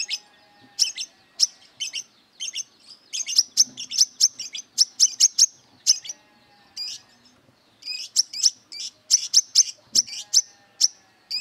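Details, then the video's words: Brown-throated sunbird in wiceh song, said to be fierce and seeking rivals to fight: clusters of rapid, shrill high chirps and ticks in uneven bursts with short gaps, continuing steadily throughout. "Burung Kolibri Kelapa Wiceh Gacor Beset Tarung Mencari Musuh"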